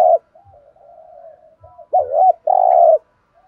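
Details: Spotted dove cooing in the thổ sấm voice style: a soft, wavering murmur gives way to two loud, full, low coos near the end, with a short loud note at the start.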